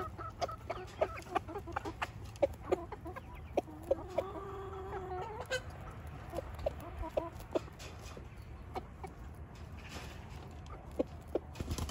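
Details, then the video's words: Rooster in Switzerland showing the hens what to eat: a run of short clucks, then a longer drawn-out harmonic cluck sequence mid-clip, followed by scattered sharp clucks over a steady low background rumble. "Der Hahn zeigt den Hühner was sie essen sollen"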